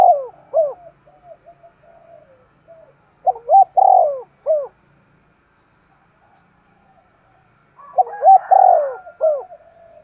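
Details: Sharp-voiced decoy spotted dove performing thúc gù cooing: soft scattered notes, then a bold phrase of short hooked notes around a swelling coo, a long pause, and the phrase again.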